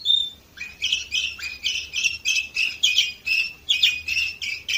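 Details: A canary in Varna, Bulgaria, recorded in 2018, delivers a fast, steady sequence of harsh, buzzy rolling phrases after one short whistle, each phrase repeating roughly every third of a second.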